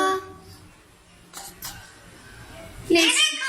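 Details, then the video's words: A talking Rose-ringed (ringneck) Parakeet gives a short burst of rasping, word-like chatter near the end, after a quiet start with a few soft rustles. "ringneck parrot talking"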